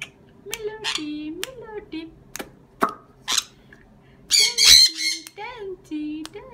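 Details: Harsh, rasping squawk from a sun conure in the second half, preceded by scattered clicks and Dutch speech that continues around it.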